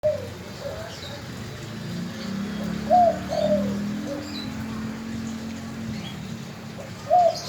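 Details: Spotted dove cooing: two brief bursts of mid-pitched, slightly wavering coos, spaced several seconds apart, over a steady low rumble of background noise.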